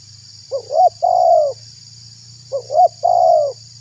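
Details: Lure call of a spotted dove, played to attract wild doves and make other doves respond; two phrases of soft hollow cooing, a brief upslurred note then a drawn-out falling coo, with a low hum beneath.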